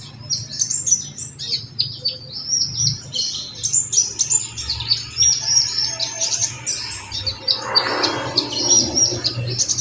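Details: Olive-backed sunbird song played as a lure to stimulate other birds: a dense stream of high, thin, rapid twittering and sharp chirps, with short bright whistled notes, over a low steady hum.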